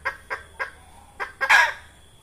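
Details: Red junglefowl hen, a lure call for trapping: three evenly spaced clucks, a short gap, then a fourth cluck running straight into a loud, harsh squawk.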